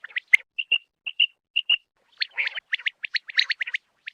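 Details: Common quail: a run of short whistled notes, paired and evenly spaced, gives way to rapid buzzy, chattering notes crowding together toward the end.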